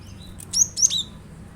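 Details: Cinereous tit (glatik batu), used as a lure to make kept birds sing along, gives a quick cluster of three or four thin, high, sweeping chirps over a faint low hum.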